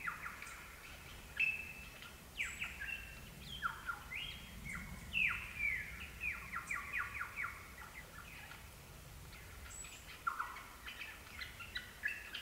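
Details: Lyrebird at Gibraltar Creek, ACT, pours out a loud, varied run of ringing whistles and quick downward-sliding notes, several each second, over a faint background hum.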